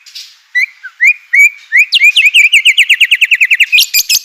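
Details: White-rumped shama provocation song for stirring other shamas: a few separate upslurred whistles, then an accelerating rapid series of rising piping notes ending in harsh high bursts.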